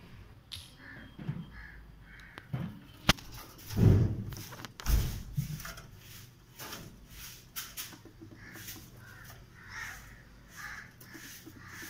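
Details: Cockatiels (Nymphicus hollandicus) from healthy breeding pairs in a new home setup give short, harsh chirping calls again and again, over a few loud thumps.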